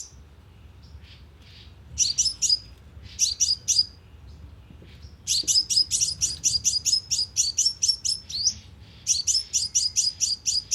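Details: Lure recording of a sunbird played through a speaker trap, giving fast runs of sharp, very high-pitched tinkling chirps in bursts, the longest a rapid series of about a dozen notes.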